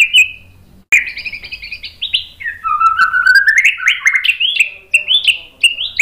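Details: Singing white-rumped shama used to provoke rival shamas into song: one short whistled note, a brief pause, then a sudden, lively run of rising and falling whistles and sharp chirps that varies constantly.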